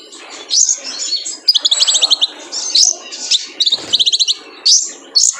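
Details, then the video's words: A male kolibri ninja sunbird sings on a training recording for caged birds: bright high chirps mixed with fast rattling trills of five or six notes, repeated in bursts roughly every second. "PANCINGAN KONIN JANTAN BIAR GACOR FULL MATERI MELATIH BURUNG KOLIBRI NINJA"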